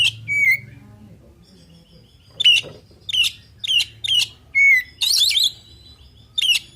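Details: Oriental magpie-robin singing its 'isian' filled song to prompt answering birds: crisp high whistled notes, one clean downslurred whistle, clusters of sharp upswept calls and a brief harsh chatter burst. A low steady hum runs underneath.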